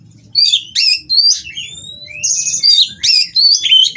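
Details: Mating white-rumped shama at a breeder's aviary, song aimed at provoking rival birds; spaced bursts of sharp chips and sweeping whistled slides, some long thin upward whistles, over a low rattling background.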